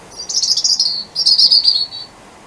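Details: Wild robin singing in darkness on the winter solstice near a street light. Two sweet, high warbled phrases, each about a second long, descend and shimmer, with a brief gap between.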